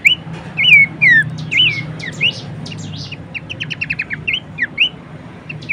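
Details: Horsfield's babbler giving song meant for training cage birds: several loud arching whistles in quick succession, followed by a hurried string of short sharp notes and a few more whistles, over low background noise.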